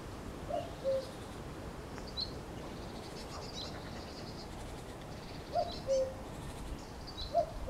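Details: May song of a cuckoo: three soft falling two-note calls spread across the recording, with long gaps between them, faint high-pitched chirps from other birds and a steady background hiss.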